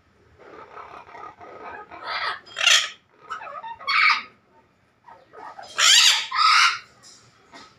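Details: A breeding pair of yellow-collared macaws give harsh, raspy screeches in short bursts, with quieter chattering between the loud calls.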